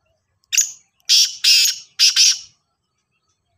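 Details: Black francolin, known locally as kala Sindhi teetar or Sahiwal teetar, giving one harsh, grating phrase: a short opening note, then three loud rasping, buzzy notes about half a second apart, with silence around them.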